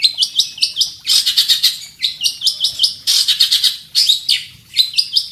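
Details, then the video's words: Centet (long-tailed shrike) as a fighting bird, singing a full masteran song to challenge opponents: repeated short whistled upslurs alternating with dense, buzzy high trills. "centet petarung gacor full masteran cari lawan"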